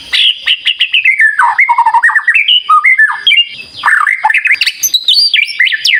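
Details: White-rumped shama song played to get other shamas singing: a loud, fast, varied run of whistled and squawky phrases, rapid sweeping notes jumping between low and high pitches with short pauses, continuous for six seconds.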